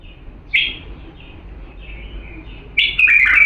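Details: Diyala bulbul singing a pure song meant for tutoring chicks: a sharp, bright warbled note, soft quiet twitters, then a loud rolling, slurred phrase at the close.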